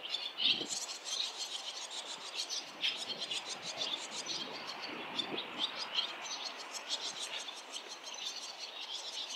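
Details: Barn swallows call around a fledging nest on a street where seven broods have already left and many birds fly about. A continuous, crowded stream of rapid high chirps and twitters, with a few softer low scratchy sounds.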